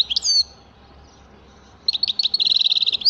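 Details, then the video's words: European goldfinch singing: a short bright twittering phrase, then a pause and a fast run of rapid tinkling notes high in pitch, with a buzzy rattle near the end. "تغريد حسون رائع"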